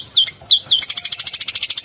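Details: A Long-tailed Shrike (cendet) from Madura gives three sharp, down-slurred whistles, then a fast rolling run of harsh, buzzy chattering notes, about a dozen each second.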